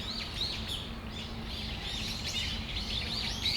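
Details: In Tamagawadai Park one December afternoon, Brown-eared bulbuls give quick, high, upswept chirps, about three a second and unevenly spaced, several birds overlapping above a low hum.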